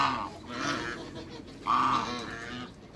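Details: African geese, three birds at a farm being met by people, giving two loud, nasal honks about one and a half seconds apart, with softer grunting calls between.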